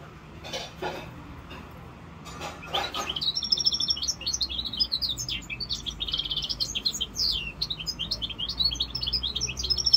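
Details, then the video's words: A young goldfinch mule hybrid, five months old, begins with a few clicks and faint chirps, then breaks into sustained, fast, jingling twitters and trills that run without a break to the end. "mulet chardonneret rosse corsica 5mois"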